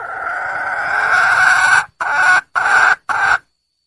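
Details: Wild red junglefowl hen calling for a male: a long drawn-out hoarse note lasting nearly two seconds, then three shorter hoarse notes in quick succession, lower-pitched than a squawk.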